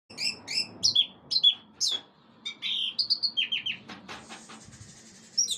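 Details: Orange-headed thrush singing a rich, fast, varied song of bright whistled and chattering phrases, several notes sliding down, delivered in quick bursts roughly twice a second, with a low background hum.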